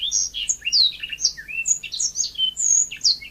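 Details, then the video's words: Yellow-fronted canary singing busily in a natural setting, a continuous stream of high, clear whistles, upslurs and down-slurred chirps with no pauses. "Kicau burung mozambik gacor alami"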